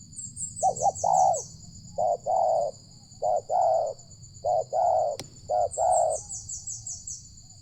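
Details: Spotted dove, a loud-voiced wild bird near a village, coos during a luring session. Deep coos come in rounded two- and three-part phrases, five bursts in under eight seconds, over a steady high insect-like drone and brief high chirps.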